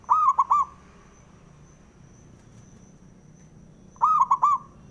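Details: Male zebra dove calling to goad other doves into song: two short stuttering coo phrases about four seconds apart, each a burst of three or four soft, rolling notes, against low hum.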